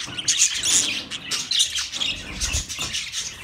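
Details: Budgies chirping in fast, bright bursts, with thin whistled notes over continuous scratchy chatter and a faint low thump.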